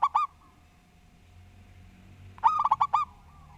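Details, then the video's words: Local zebra dove in persistent, well-structured song: two clipped cooing notes at the start, a quiet gap, then a full phrase of about six quick, bubbling coos that rise and fall around one pitch, over a soft low background hum. "Perkutut Lokal Gacor Suara Tersusun"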